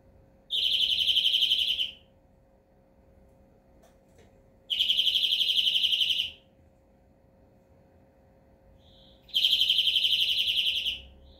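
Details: European greenfinch repeating a buzzing, rapidly pulsed trill three times at intervals of about four to five seconds, the last introduced by a short soft note, against a quiet background.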